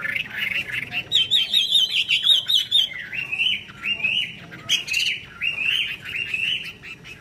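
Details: Chinese hwamei singing 'hót xòe' with an eagle-wing display: loud wavering whistles and harsher notes, with a rapid high trilled run near the start and later bursts of sharp clicks, over faint background noise.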